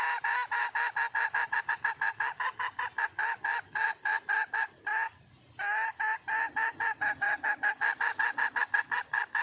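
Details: Wild hen red junglefowl calling for a mate: rapid, harsh clucks repeated about three times a second in a long, steady series, with one short pause midway. A constant thin high hiss lies underneath.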